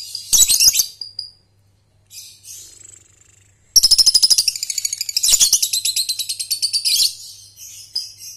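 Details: Young lovebird (balibu) trilling, ngekek style with short pauses, meant to train young birds: after brief shrill chatter, a long fast rattling trill of rapid evenly pulsed shrill notes runs for over four seconds.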